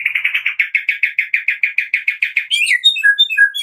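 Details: White-rumped shama of the Medan type in a morning lure for caged birds: a steady, fast string of about sixteen identical chirped notes, followed by scattered high whistles and chips.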